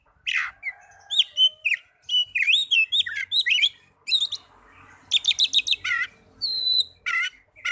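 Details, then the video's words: Oriental magpie-robin song, played to get young or silent magpie-robins singing: a swooping whistle, then quick varied chirps, a short burst of fast repeated notes and steady whistled tones. "Terapi burung kacer muda dan kacer macet bunyii"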